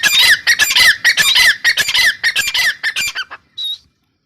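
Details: Harsh, fast, chattering notes from a female grey francolin pour out in a dense burst of about a dozen, then stop, followed by one lone clear whistled note.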